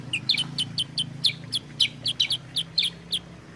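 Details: Sooty-headed bulbul, played as a lure and tutor to get kept birds singing: sharp, bright chirps in quick irregular bursts, about a dozen notes over a few seconds, with a faint low hum beneath.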